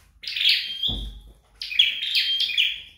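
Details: Flowerpecker practising song at home: high, rasping, falling notes run into sustained thin whistles. A brief low thump sounds between the two phrases.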